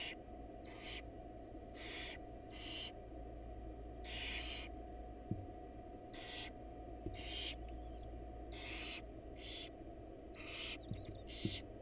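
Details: Wild barn owl nest box where a male delivers a rat with the female absent: a run of rasping, noisy hiss bursts, roughly one per second, alongside soft twittering notes and occasional small clicks over a constant low hum.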